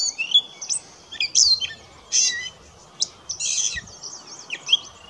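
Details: In a New Brunswick marsh, Charlotte County, on 20 May 2016, a gray catbird sings disjointed phrases: sharp downslurred whistles, raspy notes and squeaky chips separated by brief pauses.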